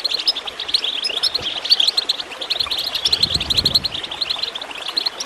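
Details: Goldfinch chirping, played to encourage other birds to sing: dense, rapid high twittering and sharp chips that run on without a break, over a steady gurgling of water.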